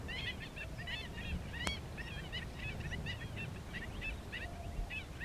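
A flock of curlew sandpipers chatters in soft, rippling chirrups, many short overlapping calls, over steady low wind or surf rumble and one sharp click.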